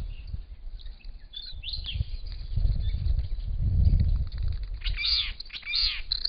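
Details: Two adult and two newly fledged Purple-crowned lorikeets with a Little Lorikeet at a pond on a property; scattered thin notes lead to a pair of loud, rasping screeches near the end, over a heavy low rumble.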